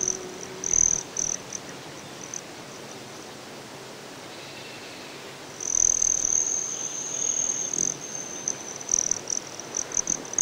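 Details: Broad-tailed hummingbird in Colorado's Great Sand Dunes: a few high chips, a quiet pause, then a long, shrill, sustained metallic trill lasting about two seconds, followed by scattered high notes.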